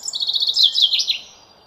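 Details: Common chaffinch (Fringilla coelebs), song.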